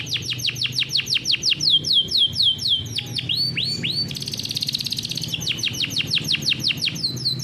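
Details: Farm-raised canary singing a loud rolling song for tutoring young birds: evenly spaced sweeping downslurs about two per second, a pair of swooping upslurs, a dense buzzy roll, then more repeated sweeps.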